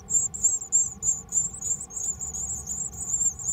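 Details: High, thin cheeping from Japanese tit nestlings in a household mailbox on 13 May 2020, a steady run of short squeaky notes about three per second over a faint low hum.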